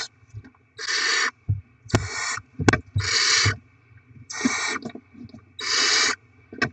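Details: Barn owl chicks fed with rodents brought to the nest; five drawn-out rasping hisses spaced about a second apart, with clicks, thumps and scratching between calls.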